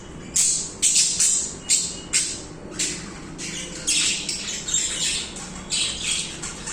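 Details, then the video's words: Budgerigars singing continuously: bright, scratchy chirps in short bursts about every half second, then merging into denser warbling chatter with a faint low hum underneath. "Budgies singing/chirping"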